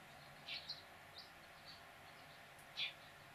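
A Hooded oriole gives five brief, high chirps spread unevenly over three seconds, the last one loudest, against a steady hiss of background noise.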